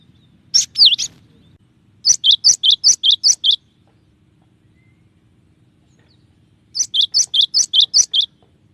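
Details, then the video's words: Cinereous tit (gelatik batu) singing 'tembakan' variations for a keepers' tutor recording: a pair of slurred notes, then two fast runs of about six to seven crisp, two-part whistled notes, several seconds apart. "suara burung gelatik batu dengan variasi tembakan banyak yang nyari"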